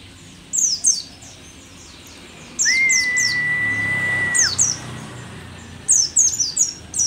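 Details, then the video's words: Old mountain white-eye, rare on Merapi, gives bright clusters of high, falling chirps; a single long even whistle sounds in between, with quiet hiss behind. "pleci merapi tak kan pernah ingkar janji, tua tua gacor"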